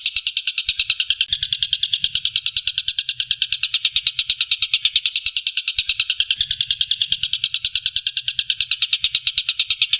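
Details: Tengkek buto, a kingfisher, giving a steady, harsh, high series of clipped notes at about three per second, unbroken for ten seconds, with faint low thumps beneath.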